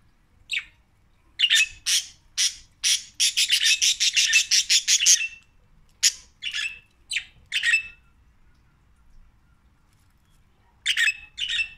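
Budgerigars chatter in harsh, scratchy chirps, a quick burst of rasping notes, then a pause.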